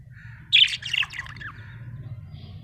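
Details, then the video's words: A small parrot gives one brief burst of harsh, squawky chirps that slide downward, then falls quiet over a low background hum. "Buetifull small parrot🦜chirping sound"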